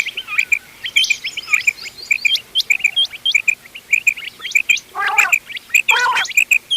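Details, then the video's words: Mixed quail calls for hunting, a local crossbred type: steady series of clear, sharp paired chirps, several per second, with a couple of harsh rasping bursts near the end. "گھونگے وال دوغلا چنگا بٹیروں کی مکس آواز quail bird sounds for hunting bater ki awaaz"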